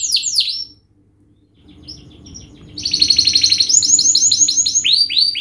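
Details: Canary singing a fast, dense, sharp song used as a lure for young learning canaries: opening descending whistled sweeps, a brief near-silent pause, then a rapid rolling trill and repeated downward-slurred whistles about four per second.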